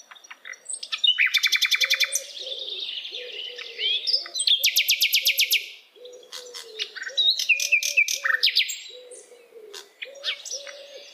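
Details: A wild hill blue flycatcher sings fast, high chattering phrases with rapid buzzy trills and sharp twitters, over a steady low hooting repeated about once a second.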